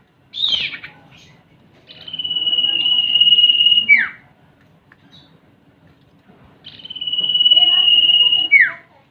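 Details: Male and female common iora calls combined as a lure recording: two long, level, piercing whistles, each about two seconds, each finishing with a sharp downward slide, and a brief buzzy note at the start.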